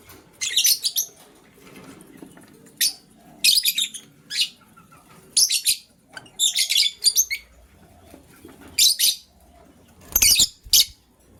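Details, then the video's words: Green and blue lovebirds scrambling for vegetables in the morning chirp busily: a steady series of shrill, scratchy chirps in pairs and short clusters, repeated every second or so throughout. "Green LoveBird Chirping Sound"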